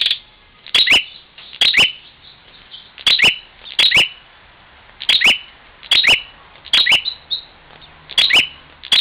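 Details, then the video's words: Bar-winged prinia attacking its mirror reflection in Parigi, Ciamis, West Java: series of bright double chips, sometimes with an extra lead note, repeated about every second across the stretch. "prenjak luhur tarung dgn cermin"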